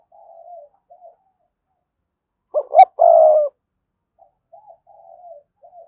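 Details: Spotted dove giving urgent 'thúc' coos and calls to lure wild birds in to fight at its perch: soft, low, drawn-out coos, then a sudden loud two-part coo midway, followed again by quiet, broken cooing.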